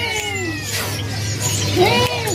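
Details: A Javan drongo, hand-reared and said to be tame when approached, gives drawn-out, sliding, mewing notes much like a cat's meow, over a steady low hum and faint voices at a bird market kiosk.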